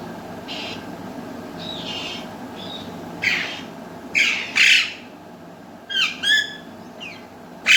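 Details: Pet talking parrots, an Alexandrine and a ringneck, give soft, speech-like murmurs early on, then about six harsh, high squawks in uneven bursts over a few seconds, in a quiet room.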